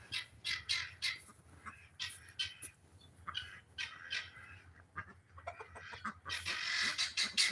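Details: Helmeted guineafowl on a farm raising poultry give a harsh, rapid alarm call, grating squawks repeated nearly three times a second.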